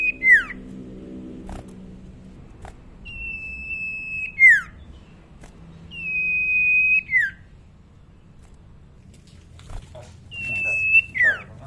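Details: Young common iora, tame, voice not yet loud, repeats a long steady whistle that ends in a falling slur, four times over about eleven seconds, with background hum and clicks.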